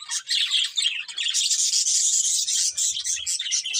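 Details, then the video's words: Colourful budgies chirping loudly: an unbroken rush of high, scratchy warbling and quick squeaks, steady in volume throughout, with a faint low rumble near the end. "Beautiful Colourful Budgies Chirping Sounds"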